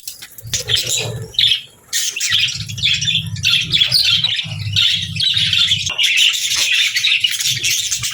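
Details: Budgerigar group song, a constant scratchy warbling chatter with chirps and squawks, over an intermittent low rumbling hum.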